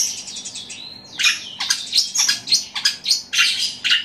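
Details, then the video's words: Long-tailed shrike (cendet), kept as a songbird, delivering a loud, rapid imitation of sparrows fighting: harsh, high chirps and scratchy squeaks fired in quick irregular bursts, about two per second, after a brief thin whistle. "Cendet suara gereja tarung gacor roll speed tembak volume keras"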